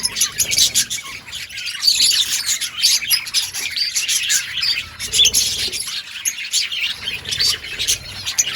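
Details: Crowded outdoor colony of budgies, overlapping high twittering and raspy chatter running without pause.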